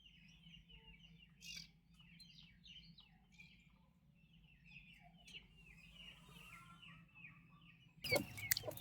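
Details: Healthy young turkey chicks with their mother peep softly and steadily, rapid high thin chirps in a fairly constant chatter, ending with a sudden loud clattering handling noise.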